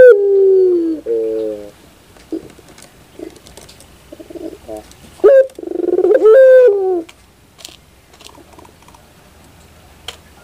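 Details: Barbary dove cooing: a long, low, drawn-out note falling slightly in pitch, then shorter clipped coos and a loud rolling coo that swells and fades around six seconds in, with quiet gaps between phrases.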